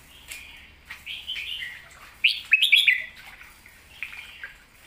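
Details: A red-whiskered bulbul in 'master song' style, pleng mae bot: soft slurred warbles at first, then one loud, fast cluster of rising whistled notes, followed by a fading lower phrase.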